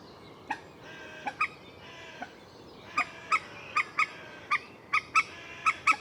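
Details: A common moorhen gives a few scattered abrupt notes, then a quicker run of sharp paired clucks, with faint softer calls underneath.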